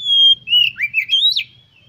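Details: Oriental magpie-robin song used to stimulate other birds to sing: a clear long whistle followed by sliding, warbled notes rising to a sharp high flourish, all within two seconds.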